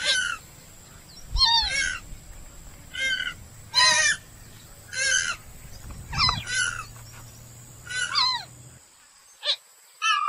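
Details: A purple swamphen, recorded in India as a bird-trap call, gives harsh, nasal, downslurred squawks about once a second over a steady high whine and a low hum.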